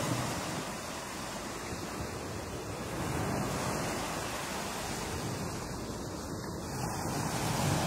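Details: Steady roar of waves and surf with wind rushing over the microphone; no animal calls stand out.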